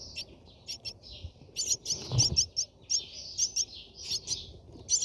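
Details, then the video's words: Brahminy starling at a nest, feeding, giving rapid, high chattering chirps in short bursts every half second or so, over a steady hiss and low rumbling background noise. "Brahmin Myna Starling birds"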